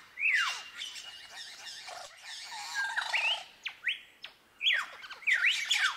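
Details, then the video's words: Superb lyrebird imitating other birds: a harsh, noisy chatter with a falling whistle, a low burbling phrase, then sharp rising whip-cracks and quick paired whistles. "La Ave de las 1000 voces Menura novaehollandiae"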